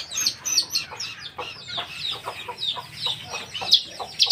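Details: Lesser green leafbird, a cage bird, singing: a busy, varied stream of high chattering notes and sharp whistles with quick slurred phrases, loud and continuous.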